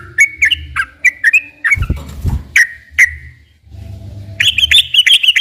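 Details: Sooty-headed bulbul song used as a lure to make captive bulbuls sing: short whistled notes dropping then rising, in quick pairs, broken by a loud thump and a pause, then a faster run of bright notes at the end.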